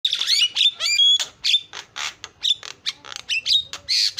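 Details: Javan myna in busy 'isian' filler song, offered as a lure: rapid mixed string of harsh squawks, buzzy bursts and clear whistled notes, some sliding upward, packed tightly with short gaps.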